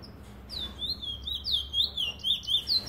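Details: In a 2018 Trinidad recording, a bullfinch (chestnut-bellied seed finch) delivers loud, clear whistled slurs, each curving down and up, accelerating into a steady run of notes after a brief pause.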